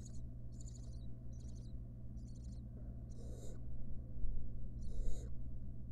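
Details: Wild barn owl family, a mother with nestlings, in a research nest box filmed by camera. Several brief high chittering bursts are followed by two longer, harsh, breathy rasps, with a steady low hum throughout.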